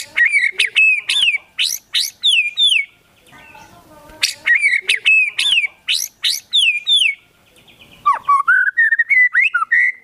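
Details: A vigorous White-rumped shama song loaded with imitated Sooty-headed Bulbul phrases: bursts of sharp, whistled, rising and falling notes in quick sequences, a short pause, then a sweet fluty warble.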